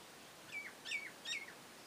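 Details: Nias hill myna carrying nest material outside its cage; three short, sharp whistled chirps with quick downward slurs, spaced about a third of a second apart, over a quiet background.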